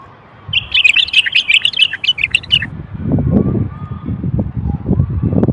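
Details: Male Moroccan common bulbul singing, used to stimulate males to sing and prepare females for mating: a two-second burst of quick, chattering whistled notes, followed by low thumping and rustling noise.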